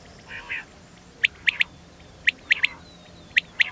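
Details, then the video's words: Female quail used for hunting: short, sharp, high notes sounded singly and in quick pairs at irregular intervals, preceded by two softer, broader rasping notes, over a quiet background. "Femail Quail sound Hunting // مادہ بٹیر کی أواز (Amizing Batair Vioce)"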